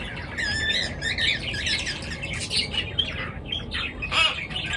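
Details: Lively morning bird chatter: wavering, warbled chirps and harsh squawks overlap densely, with a louder burst near the end and a low hum beneath.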